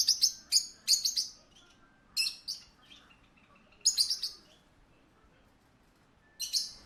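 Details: Parakeet kept at a pet shop making short clusters of sharp, high chirps, several quick groups spaced by pauses of one to two seconds, softer chirps between, against quiet background hiss.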